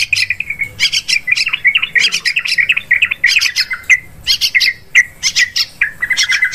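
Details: Lure recording of yellow-vented bulbul for bird hunting in forests, paddies and plantations: choppy, repeated sharp chirps and bubbly notes in quick uneven bursts throughout.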